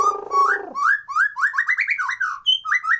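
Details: White-rumped shama song, unedited natural recording used as a lure to stir lazy birds into singing and breeding condition: opens with a harsh buzzy note, then rapid rising whistled slurs in quick succession.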